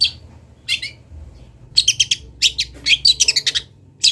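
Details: Local Kendal long-tailed shrike from Indonesia, recorded for training birds, gives a few high chirps then a fast, loud, chattering run of harsh scratchy notes, with a soft low hum behind.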